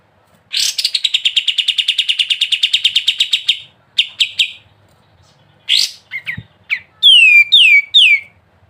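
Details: Sooty-headed bulbul in gacor ngebren singing: a long, even buzzy rattle lasting about three seconds, then scattered chips and short notes, ending in three clear downslurred whistles.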